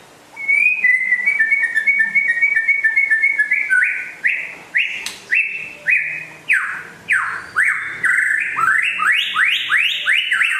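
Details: Rare West Aceh white-rumped shama in vigorous song: a steady series of clipped whistles, then loud upswept notes repeated roughly every half second, building into a fast, varied sequence of sweeping phrases.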